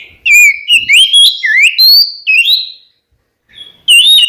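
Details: Oriental magpie-robin singing to stir rivals into replying, with loud whistled notes that rise and fall in quick succession and some buzzy overtones. A pause follows before one more bright whistle.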